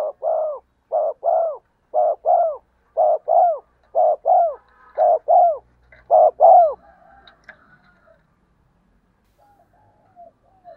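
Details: Decoy spotted dove call, used to make wild doves coo back. Six quick paired coos open the clip, each a short note then a falling longer coo, followed by near silence with faint scattered sounds.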